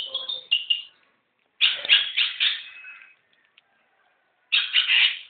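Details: Young long-tailed shrike singing: three bursts of harsh, grating chattering notes, each lasting about a second, separated by short silences.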